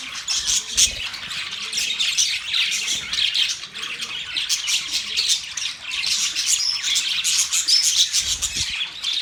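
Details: Budgerigars, November 19, 2023, in continuous high chatter: rasping squawks and thin chirps overlapping, with a few louder bursts and some low thumps.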